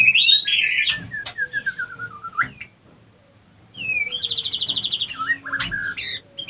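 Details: White-rumped shama female lure call used to bring other females into mating condition: a loud warbled phrase sliding down into a stuttering series, silence, then a long quavering trill.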